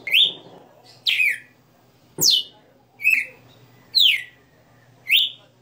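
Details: {'c': "Galo-de-campina, the Red-cowled cardinal, in captivity singing its '60 notas' song: loud slurred whistles roughly every second, with one clicking knock midway."}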